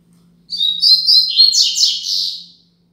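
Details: Tutor recording of the Double-collared seedeater's Braddock 'Tui Tui Zel Zel Top' song for teaching young birds: fast high whistled notes, then a series of loud raspy downward buzzes that fade out, with a gentle low hum throughout.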